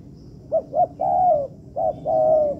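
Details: Spotted dove used as a training tutor in a man-made yard, giving two quick clipped hoots and then a long drawn-out coo, followed by another short hoot and a second long, gently falling coo.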